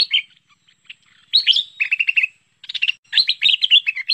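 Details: A bulbul called merbah lekir gives a luring call: a brief opening phrase, a pause, then two dense runs of bright chattering, bubbling notes, each lasting about a second.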